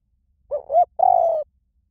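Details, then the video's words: Spotted dove coo in the high-pitched small-voice style, played to lure doves and train them to call back: two short soft notes, then a longer steady vibrating coo. The background is quiet. "เสียงนกเขาใหญ่ เพื่อเปิดล่อ นกเขาใหญ่ฝึกต่อให้ขันตาม - เสียงเล็ก"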